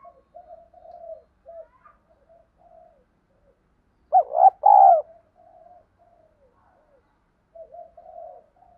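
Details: Decoy spotted dove with a field-style voice, used for training freshly caught birds to coo: soft low murmuring notes, then one loud phrase of a stuttered opening and a long mellow coo, then more faint murmurs.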